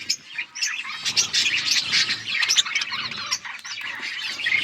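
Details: Colourful budgies in a flock give steady overlapping chatter, a warbling mix of scratchy chirps and brief whistles with no pauses, dense and busy from start to finish.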